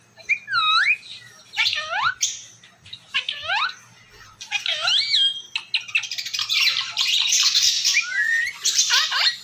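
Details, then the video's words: Ringneck parrot talking in Urdu or Hindi: clear, stacked, downward-curving syllables come in spaced groups, then a denser raspy babble with a rising whistled note near the end. "Talking Ringneck Gorgeous style | Bolnay Wala tota Urdu/ Hindi"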